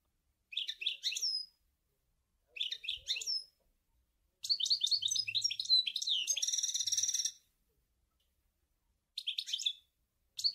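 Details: European goldfinch song labelled Sour El Gouzlane: bright, high twittering phrases in short bursts separated by pauses, one longer run with a buzzy, nasal trill near its end, faint low rumble beneath.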